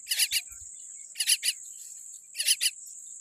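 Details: Rasping double bursts from a small common myna baby with a weak beak, each pair about a second apart, against a continuous thin high whine like a cricket.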